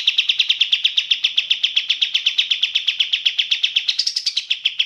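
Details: Sooty-headed bulbul, clear voice: an unbroken, rapid series of crisp high chips, then a short higher rising flourish before the steady chipping returns.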